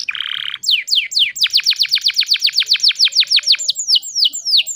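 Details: Canary song played to prompt silent canaries: a short buzzy burst, then a rapid run of steep falling notes, slowing into spaced downward whistles.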